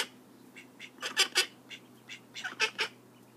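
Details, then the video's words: Baby call ducks peep rapidly: sharp, high chirps come in quick clusters of two or three, about a dozen notes in under four seconds, over a low background hum. "Call duck babies"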